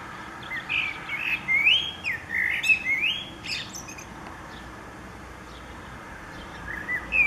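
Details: Spring song of a common blackbird, 29 April 2019: a run of rich whistled notes, rising and falling slurs with scratchy high overtones, fading to a quiet gap before a final short whistle.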